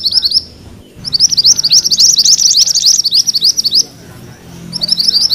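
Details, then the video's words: High rolling song of a mantenan kuning for training magpie-robins: a short trill, a pause, a long fast run of buzzy notes, silence, then the trill resumes. "Suara MANTENAN KUNING ngerol"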